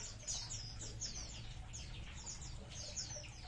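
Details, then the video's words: Munia colony heard as a busy chatter of thin, high, downslurred chirps repeated several times a second, fairly even in loudness, over a noticeable low-pitched background drone. "COLONI BURUNG EMPRIT"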